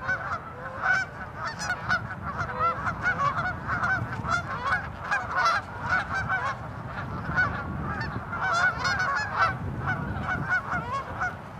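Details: A crowded gathering of tundra swans with geese and ducks at Ninth Line, Mississauga, Ontario, Canada, in mid-March 2013: a continuous din of overlapping high, tooting honks, no pauses, over low rumbling background noise.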